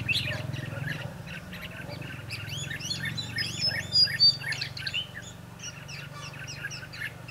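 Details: Red-whiskered bulbuls heard at a trapping site on 22 December 2015. Quick looping whistles and chirps come in dense bursts, loudest near the middle. A low rumble continues in the background.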